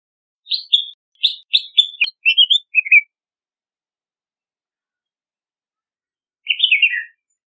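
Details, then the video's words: Red-whiskered bulbul calling in a string of short, clear whistled chirps, spaced roughly every third of a second, followed after a long silence by one more jumbled chirping phrase. "Red-whiskered Bulbul Song! Red-whiskered Bulbul Call!"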